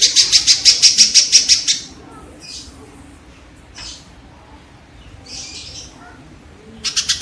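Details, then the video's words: Rapid, evenly spaced harsh notes from a kingfisher for about two seconds. A long quiet stretch with scattered soft rustling follows, then the chatter starts again. Played repeatedly to train caged songbirds. "suara burung tengkek"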